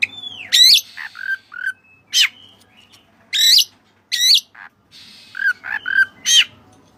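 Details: Kacer dada putih, an Oriental magpie-robin, in energetic song with Cililin-style fill. Sharp, stacked high notes sweep downward, mixed with short mid-pitched whistles. Phrases are separated by brief silences and repeat irregularly over several seconds.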